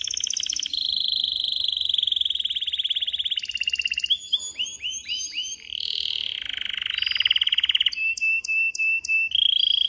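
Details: An excited male canary sings a loud, continuous song of rapid trills, buzzy rolls and high whistled notes, shifting tour every second or two, meant to stimulate females for mating.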